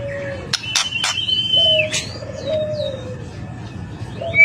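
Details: White-rumped shama song meant to draw replies from other shamas: sharp clicks and a high steady whistle, then a long low drawn-out whistle and a few thin high slurs, against a low hum.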